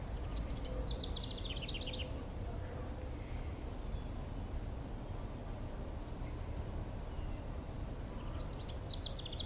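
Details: A House Wren, hidden in a brush pile in southeastern Michigan, gives two bursts of high, bubbling song, rapid tumbling notes cascading downward, used to establish territory; a voice talks over steady low background noise.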